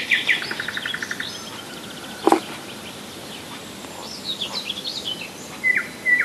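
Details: A nightingale's song recorded in July 2011 at Rassudovo, about forty kilometres from Moscow, starts with a short rattling trill. A sharp click follows, then soft high twitters and two clear level whistles close the phrase.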